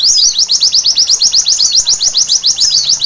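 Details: White-eye singing at night: a fast, high-pitched chattering run of sharp downward-sweeping notes, about four per second, steady and unbroken throughout, over a quiet background.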